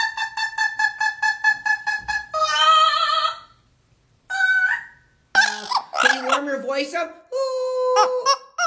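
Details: Amazon parrot laughing like a human: a rapid run of about a dozen evenly spaced 'ha' pulses, then a long hoarse cackle, a pause, and several loud, strained, squawking laugh phrases.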